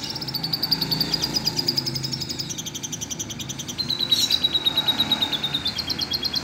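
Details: Green canary tutored with lovebird song, singing long high, fast rattling trills of evenly repeated notes that shift pitch between phrases, over a steady low background hum.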